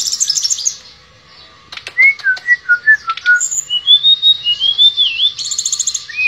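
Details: Shortwing known locally as tledekan pring in lively song: a high buzzy opening, then a pause and a run of clear whistled notes stepping up and down in quick succession.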